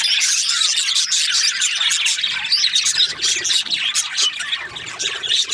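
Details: Budgerigar in a happy mood, chirping busily; rapid high twitters and squeaky warbled notes pour out several times a second in a continuous, overlapping chatter.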